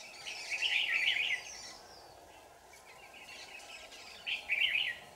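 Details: Red-whiskered bulbul singing during trapping on 4 January 2018, two lively bursts of tumbling, chirpy whistled notes separated by about three seconds of near silence, with a faint hum behind.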